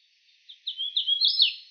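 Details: Hooded Warbler, a common warbler of the eastern United States, singing one short song: clear whistled slurred notes that quicken and rise toward an emphatic, downslurred ending, with no other sounds.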